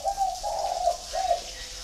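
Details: A kept flock of spotted doves at a farm in Ba Vì district, Hanoi, Vietnam. A soft, hollow run of low coos ends with a slurred closing note. Light background hiss.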